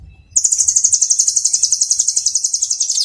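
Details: White-rumped shama 'tembakan rapat' training song: after a short quiet start, one long, very high, rapid rattling trill of evenly spaced notes runs steadily to the end.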